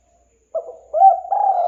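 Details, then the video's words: Spotted dove call used for luring birds: after a brief silence, a soft low cooing phrase of three notes, the last longer and held, with clean quiet surroundings. "Suara Burung Tekukur Pikat"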